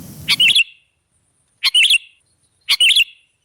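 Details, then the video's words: Sooty-headed bulbul heard as a bird-trapping lure: three short bubbly, warbled phrases spaced about a second apart, a soft murmur of background noise under the first. "Suara burung KUTILANG jebakan pemikat"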